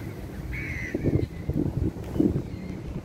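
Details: Gulls in Dubai giving harsh, throaty calls in three short bursts about half a second apart, with a thin drawn-out whistle early on and a steady low rumble of background noise.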